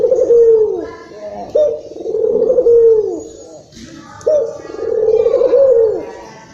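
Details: Agitated local Barbary dove from Indonesia, calling as a lure to excite other doves: three deep, purring coo phrases, each swelling then dropping at the end, separated by short pauses.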